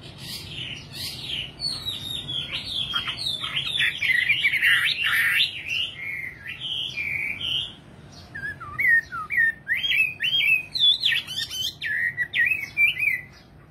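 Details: Nightingale song: dense, scratchy and varied phrases first, then a pause and a series of quick, separate rising and falling whistles.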